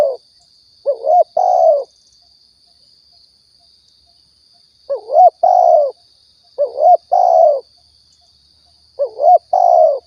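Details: Spotted dove from Riau, a lure recording for hunting: four low coo phrases spaced by gaps, each a short looping rising note followed by a longer falling hoot, over a continuous faint high whine.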